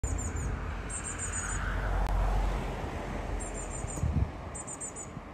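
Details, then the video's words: A Eurasian blue tit chirps, giving quick runs of four or five very high, thin notes, repeated several times over a low rumble and a steady high hiss. "Blue Tit chirping"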